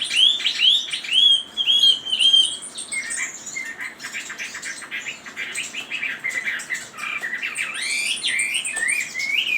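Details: Chinese hwamei singing loud, clear, repeated rising whistles, then a varied stream of quick slurred notes and high sweeping phrases.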